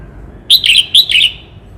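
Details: Red-whiskered bulbul from Cao Bang, a kept songbird, singing: two loud bursts of clear, warbled whistles, each a quick rolling phrase sliding slightly downward, close and dominant against a quiet background.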